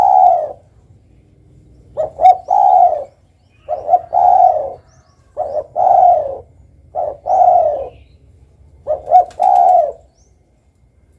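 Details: Repeated cooing of a spotted dove (tekukur): a series of low phrases, each a quick pair of notes then a longer mellow coo, coming in a loose rhythm about every one and a half to two seconds over a quiet background.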